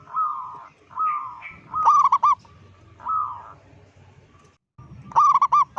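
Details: Zebra dove, a local bird with a big voice, calling to make other zebra doves panic: repeated mid-pitched coos broken by two loud clipped staccato bursts.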